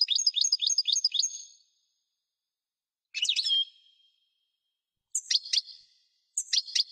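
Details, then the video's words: European goldfinch twittering briefly, followed by a single slurred phrase and two short sharp chirp groups spaced by silent gaps. "اجسن تغريد الحسون"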